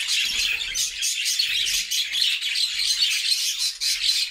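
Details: Flock of budgerigars singing cheerfully in a homemade cage: bright, rapid chirping and warbling in quick pulses, high and continuous.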